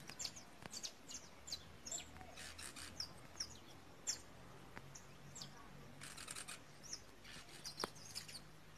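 A female Belgian canary gives short, high chirps and thin tweets at irregular intervals over a steady low background hum.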